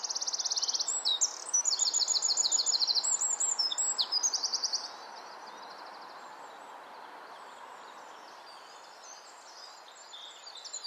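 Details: Wren in nesting season, possibly singing to its mate, delivers loud rapid high trills and ticking bursts for about five seconds, then falls silent leaving steady background hiss with faint distant chirps.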